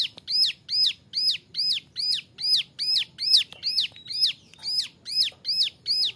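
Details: A young male Bar-winged Prinia repeats bright, arched high chirps at about two per second, a steady series meant as a training model for other birds, with a few faint thin whistles in the background.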